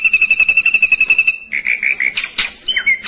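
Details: Ashy drongo kept in a hanging cage gives a steady run of rapid ringing whistled notes, then warbling slurred whistles and a sharp downward-sweeping note, all quick and tightly packed.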